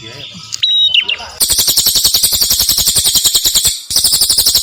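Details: Prinia of the Cililin type used as a tutor recording for songbirds: a few clear stepped whistles, then a loud, fast, buzzy, rasping series of notes, about four a second, briefly broken before resuming.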